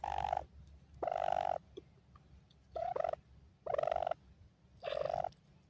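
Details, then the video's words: Five loud, evenly spaced calls from happy grey francolin chicks, known locally as dakhni teetar. Each is a harsh, rasping, steady-pitched note about half a second long, with a low hum underneath. "dakhni teetar bachay happy mod"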